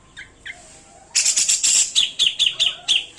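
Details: Grey-cheeked bulbul: two soft notes, then a loud burst of harsh high chatter followed by a quick run of sharp repeated notes, several per second.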